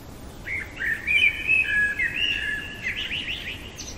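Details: Common blackbird singing at night: a run of mellow fluting notes held near one pitch, followed by a rapid squeaky twittering ending, with quiet background hiss.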